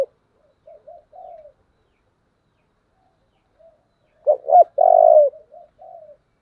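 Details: Spotted dove singing in the 'thổ' voice style, described as very strong, a model coo for decoy luring: soft low preliminary coos, then two sharp swelling notes and a long, loud, vibrating coo, followed by softer trailing notes; otherwise quiet.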